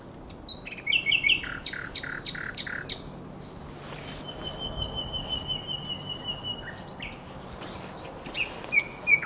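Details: Beside the Żerań Canal on 23–24 April 2022, a common nightingale sings a loud, rapid series of clicking notes, then a long, pure, level whistle, and finally a quieter burst of quick repeated notes.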